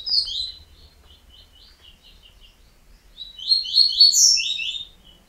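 Yellow-bellied Seedeater song: a high buzzy opening phrase, a run of soft quick chips, then a loud, rapid, twittering burst of sweet notes near the end.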